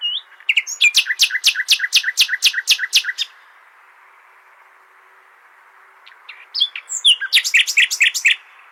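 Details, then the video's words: Common nightingale song for training goldfinches: a long train of evenly spaced, loud, clicking repeated notes, roughly four per second, then a pause and a second fast rattling burst of repeated notes. "تغريد جميل للعندليب لتحفيظ طيور الحسون"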